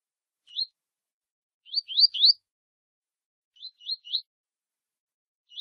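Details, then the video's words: Double-collared seedeater singing the tui tui style while warming up with a female for a contest: clusters of two or three quick upward-slurred whistles, the middle group loudest, separated by short silences. "Aquecimento Coleiro Tui Tui com Fêmea !!!"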